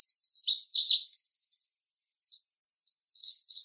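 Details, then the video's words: Pacific Wren song: a very high, rapid, ringing, tinkling cascade of trills and buzzy runs lasting over two seconds, then a brief pause before it resumes; no other sounds. "Pacific Wren Call"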